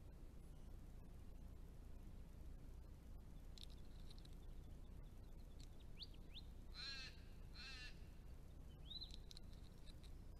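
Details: Sacred kingfisher arriving in spring in south-eastern Australia after migrating from further north; a pair setting up a breeding territory. Two loud, harsh, rasping notes close together near the end, amid thin whistles from other birds and a steady low background rumble.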